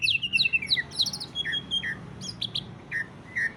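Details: Greater green leafbird singing ngentrok, a style used to provoke other leafbirds into song: a quick burst of high chirps and slurred whistles, then spaced sharp ticks and short downward whistles, with a low background hum.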